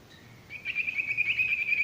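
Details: Male sirtu (Ashy Tailorbird) song used as tutoring for untrained or stressed birds that stop singing: a steady, fast, rattling trill held at one high pitch for over a second after a quiet start.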